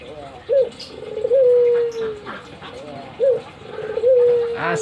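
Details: Pet albino Barbary dove cooing eagerly while nodding, giving two phrases, each a quick upturned note then a drawn-out steady coo that sinks slightly at the end.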